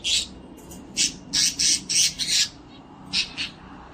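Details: A pet cockatiel, singing, dancing and playing, gives harsh, scratchy squawks in uneven bursts, about a dozen notes in four seconds with short pauses between clusters, against a quiet indoor background.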